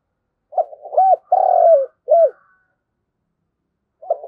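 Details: Flock-calling coo of a spotted dove used as a decoy: a broken opening coo, a drawn-out low coo sliding down at the finish and a brief final note, then silence before the next phrase starts.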